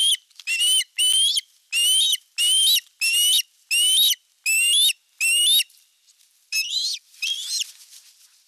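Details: At a Finnish osprey nest on 19 July 2022, the male arriving with a big fish, nine loud, evenly spaced whistled calls with rising tones, followed by two softer, fading ones.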